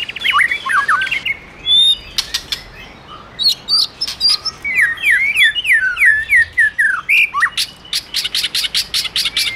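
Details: White-rumped shama song prompted by a female: whistled slurs and quick descending notes in a fluent run, ending in a fast series of sharp, evenly spaced clicks.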